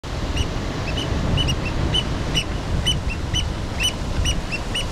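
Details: Black oystercatchers hanging out at the mouth of Lobo Canyon, Santa Rosa Island, Channel Islands, California, give loud, sharp piping whistles about two or three a second, sometimes overlapping, over a steady low rumble of surf or wind.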